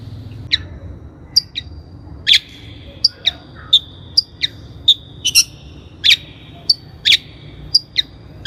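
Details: Long-tailed shrike, lure recording for training birds: scattered sharp high clicks and short chirps at an uneven pace, with thin whistled tones linking some of the notes.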